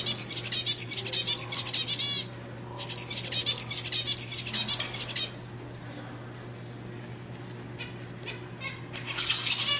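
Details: Zebra finch song meant to excite other birds. Two phrases of rapid, buzzy, harmonic notes fill the first five seconds, followed by near silence and a few faint chirps near the end, over a low hum.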